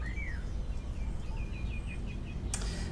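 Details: Spotless starling singing at Urdaibai marsh, Spain, 25 March 2021, on a fine afternoon, possibly breeding in the bird center tower; it imitates a golden oriole. A clear rising-then-falling whistle, then quick short chirps and squeaky notes over a low rumble.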